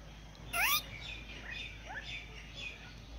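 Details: A red golden pheasant gives one loud, harsh, rising screech, followed by several softer upslurred chirps over the next two seconds against faint background hiss.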